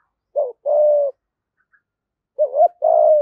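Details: Decoy spotted dove in 'giọng thổ' voice, cooing to attract wild doves. A short hoot and a longer level coo come first, then after a silence a wavering double note and another sustained low coo.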